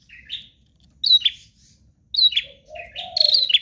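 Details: Sharp, high chirped bursts from a bar-winged prinia singing hard, with a lower wavering warble near the end.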